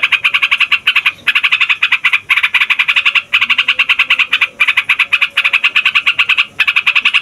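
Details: Yellow-vented bulbul in the long rolling 'ngeroll' style, said to agitate every kind of songbird. A rapid, buzzy rattle of tightly packed notes runs in phrases about one second long, separated by short breaks.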